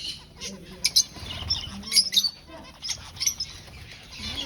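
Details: Finches in an aviary colony at breeding time, searching for a nest, give scattered sharp high chirps and short squeaks between brief quiet gaps.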